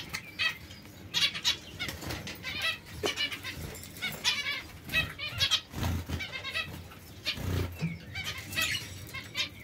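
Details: White zebra finch together with society finches: bright, nasal, buzzy call notes in short clusters, spaced irregularly over several seconds, with other finch voices, some fluttering wings and faint low thumps in the background.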